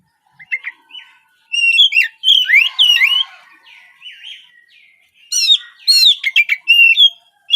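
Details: Oriental magpie-robin delivering lively song, used to stimulate untrained speckled juveniles to sing in the morning. Chipping notes lead into loud looping whistles and buzzy trills, a softer stretch, then a further fluty, jumbled phrase.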